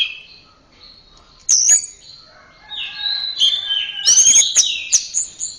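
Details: Anis merah, the orange-headed thrush, in song for caged-bird training: a soft whistle, then a sharp high note, followed by a long, loudening sequence of sweet whistled and chattering notes.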